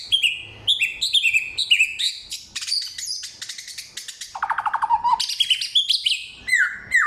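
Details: Loud, clear samyong song of forest material mixing rapid descending chirps, a harsh buzzy stretch, a low fast rattling trill and closing falling whistles, about two notes each second.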